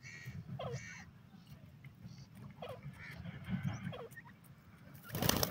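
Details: Teetar francolin during breeding: three rough, harmonic calls about every one and a half seconds, each sliding downward, with faint chirping birds, a constant low hum and a loud noisy burst at the end.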